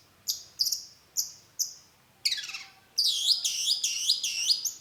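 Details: Cendet, the long-tailed shrike, singing briskly. Four spaced high chirps, then a harsh falling rasp and a fast continuous run of repeated arched whistled notes.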